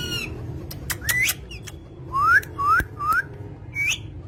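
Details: Green pet parrot whistling a series of clear upslurred notes, about three in a row roughly every half second, mixed with sharp clicks and taps, against faint room hum.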